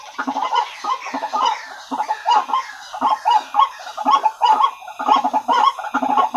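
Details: Lure recording of white-breasted waterhens: rhythmic bursts of rough, clucking croaks repeated about once a second, several voices overlapping in a busy chorus.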